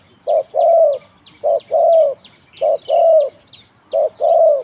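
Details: Competition spotted dove at round 41 giving four evenly spaced phrases, each a brief coo followed by a longer drawn-out coo, roughly one phrase per second; faint higher chirps from other birds behind.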